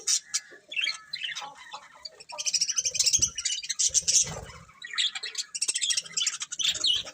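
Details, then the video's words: Chirping from a colourful budgerigar breeding pair: rapid, buzzy, high warbling chatter that grows louder after the first two seconds and continues in uneven bursts. "Colourful Budgies Chirping Sounds"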